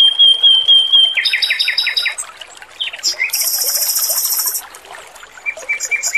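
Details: Male robin in full song, recorded for training other birds: a thin steady whistle, then a fast series of repeated buzzy chattering notes and a high metallic trill, over trickling water.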